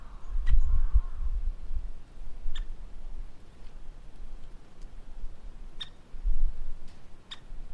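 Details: Scattered crisp, clipped notes from a woodpecker, some in quick pairs, spaced one to three seconds apart. A brief soft twitter comes from another bird early on, with gusty low noise throughout.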